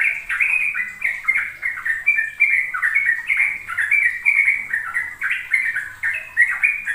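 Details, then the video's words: Lure song of a sooty-headed bulbul, played to young birds so they learn the continuous ropel style. Bubbly, mid-pitched notes chain together without stopping, each short phrase dipping and rising. "Pancingan trucuk agar trucukan BAHAN PAUD ikut belajar ropel"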